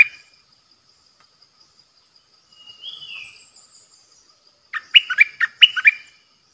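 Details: Bulbul kept as a decoy bird: after a faint, slurred whistle, a quick bubbly phrase of short, clear, warbled notes rises and falls in two rapid bursts near the end, with a quiet background.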